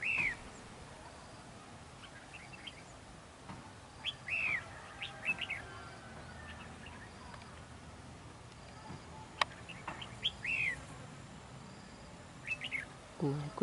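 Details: {'caption': 'Red-whiskered bulbul used as a decoy during a territorial fight at a trap; scattered short, bright, slurred whistled phrases repeated every few seconds over constant hiss, with occasional sharp clicks and a rustle at the end.'}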